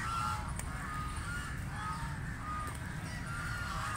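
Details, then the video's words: Call duck feeding in water: nasal quacks repeated at uneven intervals over a steady rush of water and low background rumble. "Call Duck Quacking Quacking"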